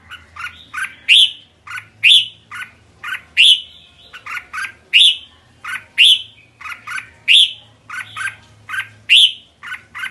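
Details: Kekek call of a red-whiskered bulbul: short clipped notes, each group ending in a loud upward-sweeping chirp, repeated steadily about once a second for ten seconds over a quiet low hum.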